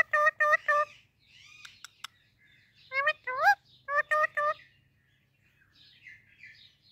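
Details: Talking Indian ringneck parakeet greeting baby parrots: bursts of rich, harmonic speech-like syllables, first three quick ones, then a rising, bending pair and another quick triple, with short soft chatter in between and a faint low hum throughout.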